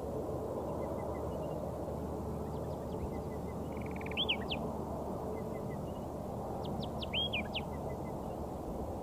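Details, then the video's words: Layard's warblers foraging as a pair in bushes on a Karoo farm near Hanover, Northern Cape, trading quiet songs: two matching phrases about three seconds apart, each a short trill, a looping whistled note and thin sharp strokes, with steady low background noise. "A pair of Layard's Warblers foraging and singing softly to each other"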